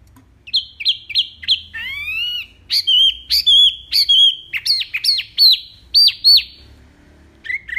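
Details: A singing mini wambi, used as a master to teach other songbirds, in full, loud, clear voice: a quick run of sharp notes, then one long rising sweep, then varied high chirps and down-slurred whistles delivered in rapid bursts.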